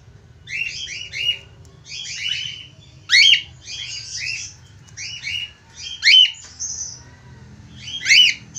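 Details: Budgerigar chattering while calling a female: fast runs of small stacked chirps broken by three loud, sharply sweeping squawks at about 3, 6 and 8 seconds, over a faint hum.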